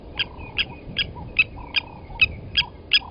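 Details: Ringing hammer-like clinks, eight evenly spaced in three seconds, from blacksmith lapwings on Djuma Game Reserve, South Africa, where an adult took a chick from the nest and killed it; soft lower whistling behind.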